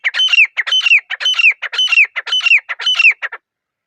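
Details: Grey francolin calling in a quiet forest; a loud, rhythmic phrase of harsh, high notes, each ending in a ringing downslurred whistle, repeated about six times in quick succession before stopping, with no other sounds.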